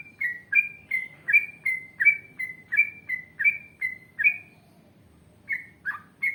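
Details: Yellow-vented bulbul in full song, delivering a long 'ngalas panjang ropel panjang' series: about thirteen short, clear whistled notes alternating slightly in pitch, roughly three per second, then a pause and three more notes; faint low hum beneath.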